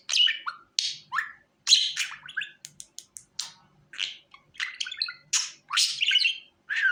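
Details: Budgerigar sounds for coaxing a budgie onto the hand: a string of short, high chirps and squeaks separated by tiny pauses, some clipped and ticking, others slurred downward.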